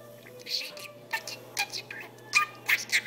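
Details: Indoor pet budgerigar mimicking speech: quick, clipped raspy syllables and thin whistled squeaks in a rapid, uneven sequence, louder toward the end, with a constant low hum behind.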